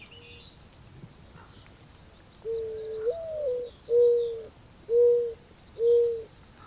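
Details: Mourning dove cooing: a soft, low drawn-out first note that swells upward then sags, followed by three short hollow coos spaced about a second apart, with faint high chirps of other birds in the background.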